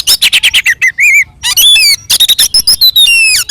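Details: Oriental magpie-robin in aggressive fighting song to provoke other birds: fast rattling series of harsh notes, then warbled whistles and long descending whistled slurs.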